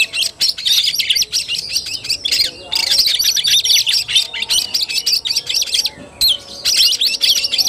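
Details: Oriental magpie-robin singing in fighting style (kacer tarung), recorded 17 August 2021: dense, fast bursts of high whistles, chatter and buzzy notes in rapid phrases with short pauses.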